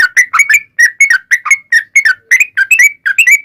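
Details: Ropel panjang song of a yellow-vented bulbul, meant to provoke other bulbuls into answering: short burst of clear, chirpy whistles, each note slurring upward, tightly spaced and energetic.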